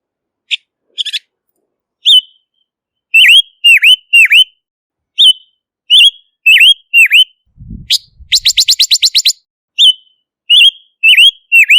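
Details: Silver-eared mesia repeating phrases of clear, downward-swooping whistles, broken midway by a soft thud and a fast, evenly spaced burst of sharp chips before the whistled phrases resume.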